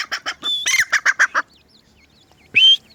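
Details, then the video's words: Francolin chicks (teetar): a burst of loud, rough, rhythmic pulses with one sustained whistled note, then soft rising-and-falling peeps, and a final harsh, squealing note. "so cute babies chick's francolin, in funny teetar sound"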